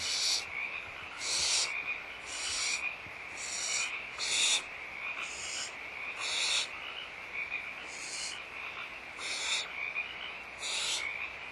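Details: Nesting barn owls at Audubon Starr Ranch Sanctuary during feeding, 16 March 2011 in the morning: a run of about ten short, rough hissing screeches spaced roughly a second apart, fairly even in loudness.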